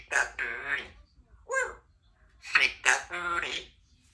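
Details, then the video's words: A three-year-old female Congo African grey parrot, kept as a pet in a country home, chatters in speech-like bursts: several harmonic, voice-like phrases with short pauses in a small indoor room. "African Grey Talking Parrot"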